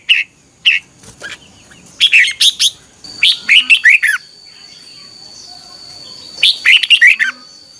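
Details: Morning song of a red-whiskered bulbul, a competitive 'chè' style lure for training birds: scattered single whistles, then three bursts of fast bubbling slurred notes a few seconds apart, with a thin steady high whine in the background.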